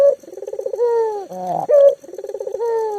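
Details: Active local spotted dove used to prompt mute doves into calling; a rapid pulsed coo leading into a long even tone, a buzzy break, then a bright emphatic note before the next trill.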